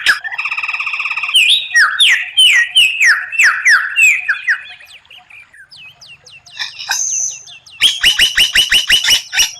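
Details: White-rumped shama training song, rare 'tembakan' bursts: a buzzy rattle, then tumbling downslurred whistles, soft high ticks, and finally a fast loud run of repeated chips.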